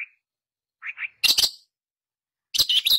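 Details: Long-tailed shrike in a vigorous lure recording made to prompt a silent shrike to sing: a soft low chirp, a doubled mid note, then harsh buzzy broadband bursts in two clusters separated by silence.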